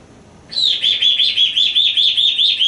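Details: Pet African grey parrot, male, on a porch with its owner, repeating a high chirped note about nine times in two seconds, a steady warbling string of squeaky sweet-like chirps.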